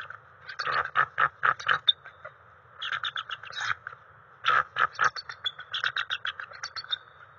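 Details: Eagle pair at their nest at night on March 7, 2021, swapping turns incubating the eggs, the female soon nudging the male off; rapid bursts of high, clipped chirps in uneven runs, pausing briefly between series.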